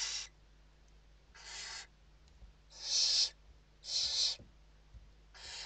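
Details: Inside a Western barn owl nest in Spain, evening feeding, 29 November 2023; five harsh hissing bursts at uneven intervals, the central two loudest and most strident, light low hum beneath.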